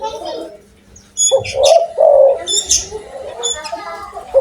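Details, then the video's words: Spotted dove in full, big-voiced calling: a pair of throaty, slightly rising coos in quick succession, with high squeaky chirps from other birds around them. "tekukur gacor suara besar"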